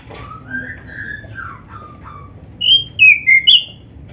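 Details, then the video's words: Oriental magpie-robin, black-breasted form, singing to set other magpie-robins off: soft lower mellow whistles first, then a loud burst of four bright clear whistled notes. "SUARA KACER GACOR FULL ISIAN ‼️ Bikin Kacer Lain ON GACOR"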